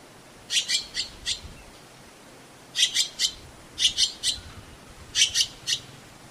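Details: Azure-winged magpie repeating harsh, scratchy calls in quick bursts of three or four clipped notes, with pauses of about a second between the bursts, over soft background hiss.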